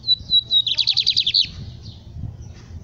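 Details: High, clear whistle from a lined seedeater, then a quick run of about ten buzzy pulses in its capiroto song, with faint later notes and low rumbling noise.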